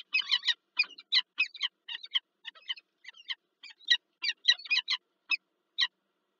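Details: Peregrine falcon at a nest on the PGE site in Lublin, Poland, 9 March 2024, as the female has laid her first egg and the male arrives with a gift; harsh, harmonic chip notes in quick irregular bursts.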